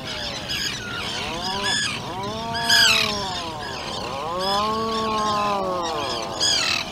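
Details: Atlantic puffin burrow on Seal Island with a 2-day-old chick and both parents: several drawn-out harmonic calls arching up and then down, overlapped by bursts of high, harsh squawking from a busy colony outside.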